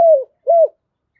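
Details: Morning lure call of a decoy spotted dove, meant to draw in wild doves: two mellow coos, the first gently falling, the second short and arched, separated by a brief pause.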